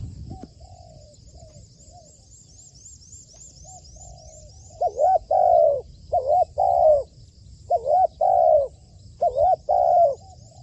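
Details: Captive spotted dove being trained as a decoy: soft, quiet coos at first, then four loud phrases of a short double note followed by a long falling coo, about every 1.5 seconds, with high faint twittering behind.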